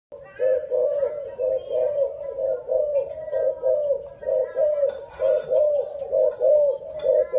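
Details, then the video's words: Dove cooing indoors in a small room: low, hollow coos repeated about once a second in a steady run, with faint clicks and a little background noise. "Big Sound Dove"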